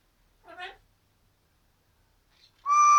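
An Amazon parrot gives a brief wavering, meow-like squawk, then after a pause starts a loud, steady, nasal tone that continues to the end.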